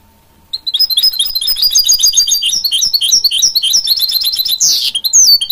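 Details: Hybrid goldfinch and canary mule bursting into a dense, fast twittering song after a short silence, with rising and falling high notes and a rasping sweep near the end.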